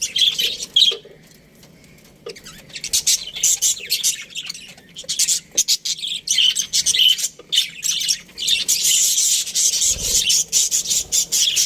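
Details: Breeding pair of Australian budgerigars chattering with scratchy high chirps, scattered at first, then a dense continuous warble of rapid twittering notes toward the end.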